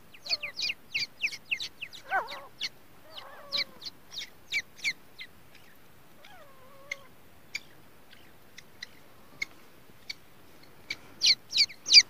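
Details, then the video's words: Grey francolin (teetar) chicks on their first day: rapid high thin peeping notes repeated several times a second, mixed with a few lower squeaky slurred calls. "Teetar chick First Day"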